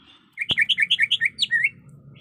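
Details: Female greater green leafbird, in breeding condition, calling a male with a brisk sequence of about ten bouncing two-toned chirps ending in a drawn-out lower note, preceded by a sharp click.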